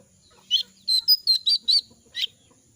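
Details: Moulting jongkangan losing feathers, voice gone hoarse so it cannot sing at full strength; a short burst of six or seven quick chirping notes, a rough note leading into a run of clearer whistled ones and ending raspy, quiet background.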